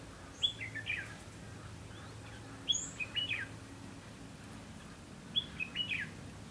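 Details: Red-whiskered bulbul at a trapping session on 2 October 2016: three bursts of short, bright, warbled whistled phrases, each with a rising note, about two and a half seconds apart, over a low steady hum.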